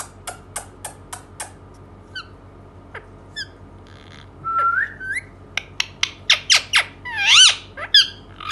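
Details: Talking Indian ringneck parakeet starts with a run of dry clicks, then holds a level whistle that rises into a flurry of loud chattering, squeaky notes and swooping whistles, growing louder toward the end.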